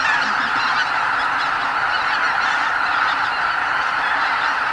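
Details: Greater white-fronted geese departing the night roost en masse before sunrise in spring at Miyajimanuma wetland, Bibai, Hokkaido, Japan, nearly 80,000 birds; an unbroken wall of overlapping nasal honks and yelping calls.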